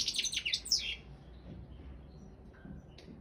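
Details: Balkan goldfinch, Carduelis carduelis balcanica, singing in an online world championship held by a Serbian breeders' association: a one-second burst of high, scratchy twittering, then near quiet.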